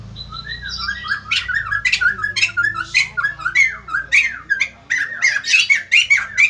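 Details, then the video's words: White-crested laughingthrush, described as a lively singer that sets other birds responding: continuous loud, harsh squawks alternating with looping whistled notes, about two phrases a second, over a low steady hum. "BURUNG POKSAY JAMBUL GACOR BIKIN YANG LAIN NGRESPON"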